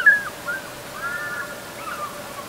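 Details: African fish eagle calling in the distance on a hot afternoon in March 2019, recorded with a camera: faint, wavering yelping notes, several rising and falling in quick succession over steady background hiss.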